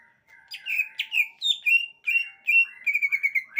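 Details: Greater green leafbird singing a lively string of clear, slurred whistles. The notes rise and fall, some with quick flicks, and they run together into a fast chattering phrase at the end. The setting is quiet.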